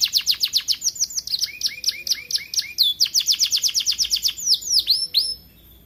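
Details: Kept in an aviary, a young canary starting its song gives quick series of high descending chirps, lower dipping notes, another rapid chirping run and a couple of swooping whistles.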